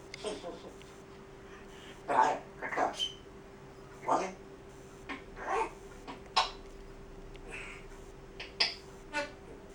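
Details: Pet grey parrot indoors demonstrating part of its repertoire: short speech-like utterances come in separate bursts every second or two, with one brief whistled note, over a steady low electrical hum.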